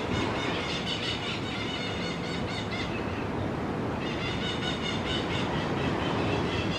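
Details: Crimson-fronted parakeets giving rapid, rasping screeches, about two or three a second, that pause briefly midway and then resume, with continuous low rumble underneath.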